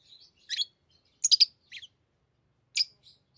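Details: Tame lovebirds chatter while playing with rings: quick clusters of high, harsh chips, a double burst, then single squeaks after a short silence.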